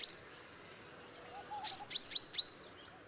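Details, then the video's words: One of a nesting pair of purple-rumped sunbirds gives a single high, thin chip, then a quick burst of four or five sharp, high-pitched notes over a faint background hum. "purple rumped Sunbird"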